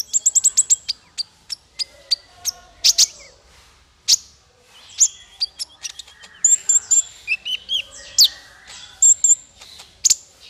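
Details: Training song for small fighter birds: fast, very high ticking notes in a rapid series, then varied sharp chirps, slurred whistles and brief trills in an unbroken, busy stream.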